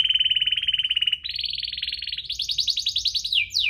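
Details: Actively singing canary, chirping and rolling, used to encourage lazy canaries to sing; a series of rapid trills stepping up in pitch across three levels, closing with a sharp downward slur.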